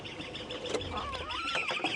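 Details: Recorded on an October 15, 2016 morning safari drive: a Great Spotted Cuckoo recording played back through a small speaker gives its more common call, harsh grating notes with a few quick rising and falling slurs, over a hissy background.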